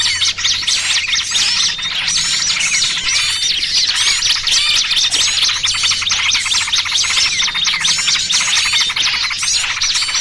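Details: Mixed small-bird lure sound used by bird trappers, featuring noisy trucukan and pinched small-bird calls: an unbroken, busy chorus of shrill chirps, twitters and thin whistles from numerous birds, steady in loudness.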